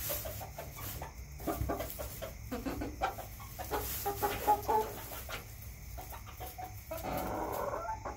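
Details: Backyard chickens clucking in a steady, irregular stream of short, throaty notes about four per second, with a few longer drawn-out calls near the end and a low rumbling background.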